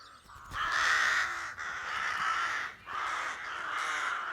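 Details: Rooks (Corvus frugilegus) building nests at a rookery on a village main street in Belcoo, County Fermanagh, Ireland, on a cool calm March morning, cawing to announce disturbance like a person moving or passing car: several give harsh grating caws in three overlapping bursts.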